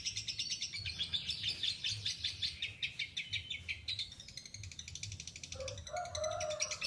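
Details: Long ngekek chatter of a lovebird: fast rattling run of shrill, buzzy chirps, roughly three per second, fading into lighter high twitters with a lower squeak toward the end.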